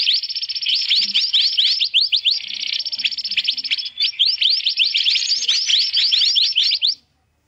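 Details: Mantenan (black-naped monarch) trapping lure: hurried, overlapping upslurred chirps about four per second over a sizzling high hiss, pausing briefly near four seconds and stopping abruptly just before the end.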